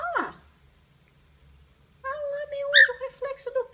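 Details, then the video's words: A pet cockatiel sings after seeing its reflection in a case, giving a quick falling whistle, then after a pause a run of warbling, chattering notes with a sharp squeak, over a low indoor hum. "Pituco vê seu reflexo na maleta e começa a cantar."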